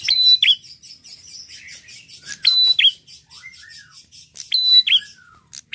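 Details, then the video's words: Red-headed prinia repeating high whistled phrases that end in a quick drop, over a steady background of faint rapid chattering and soft gliding notes. "prenjak apapun langsung nyautt gacor dengan prenjak gacor ini"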